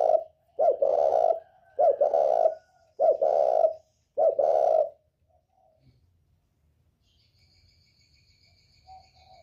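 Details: Spotted dove from northern Vietnam giving the 'còi bổi' style call, used to provoke other birds. Four deep, hollow coo phrases are repeated roughly every second and a quarter, then silence with faint high background tones.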